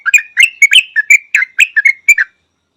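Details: Yellow-vented bulbul giving a quick series of about ten bright, chirpy, slurred notes. The notes alternate up and down, bubbly and loud, then stop abruptly with no background noise.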